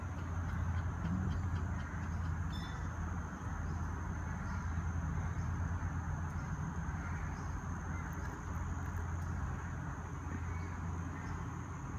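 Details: A steady low rumble like passing traffic or machinery runs throughout, with a thin constant high whine above it and no animal calls.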